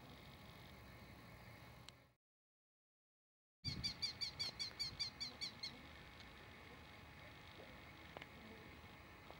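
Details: Male red-footed falcon (Falco vespertinus), close up, giving a quick run of about ten shrill, high kee notes over two seconds, fading toward the end, against steady outdoor hiss.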